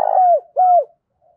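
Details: A decoy spotted dove calls wild doves in the morning. The tail of its phrase gives a buzzy coo sliding down, then a clear falling coo, followed by a faint low note.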